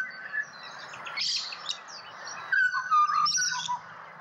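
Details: Pied butcherbird in Australia singing, a loose run of clear fluted whistles with short sliding notes, some steady and some dipping, over low background murmur.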